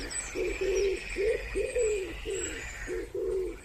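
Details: Close, clear wood pigeon calling by a pond: seven hollow, throaty coos, the middle ones longer and gently falling, with a faint hiss of background ambience.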